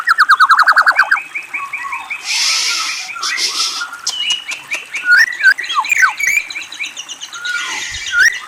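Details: White-rumped shama whistles and trills: opens with a rapid pulsing trill, then a hissing burst, followed by clipped repeated whistles and looping slurred notes, with a second harsh hiss near the close.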